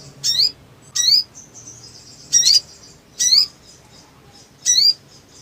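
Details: Black sunbird (sogon), agitated and fluttering, recorded as a lure to make silent birds sing. Five sharp, very high, upward-swept notes come about once a second, with faint thin trills between them.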